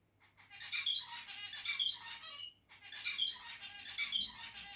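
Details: Territorial zebra finch song: two long phrases of rapid, buzzy, stacked notes mixed with sharp chirps, each about two seconds and separated by a short gap, with faint shuffling noise near the end.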